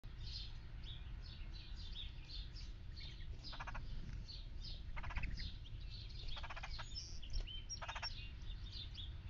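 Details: A red-headed woodpecker visiting a backyard feeder in Pennsylvania gives several harsh, rattling bursts about half a second long, a second or two apart, with thin chirps from other small birds and a low rumble.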